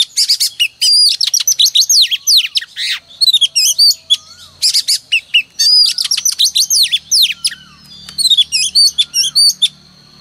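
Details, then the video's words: Oriental magpie-robin female in full song, used each morning to provoke males: dense bursts of shrill varied whistles, trills and downslurs in three long phrases separated by brief pauses, with a low faint hum underneath. "Kích choè than trống cực căng mỗi sáng | Choè than mái mồi quá hay"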